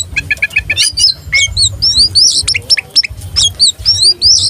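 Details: Tame, vocal oriental magpie-robin spreading its tail, singing to provoke rival birds: rapid high chips, then varied whistled upslurred and downslurred notes and sharp clicks in a fast, busy stream, with low rumbling noise underneath.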